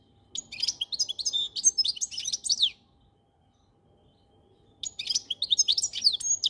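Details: Goldfinch singing a rapid, liquid twittering phrase of high tinkling notes and trills, pausing for about two seconds before a second burst of chattering song.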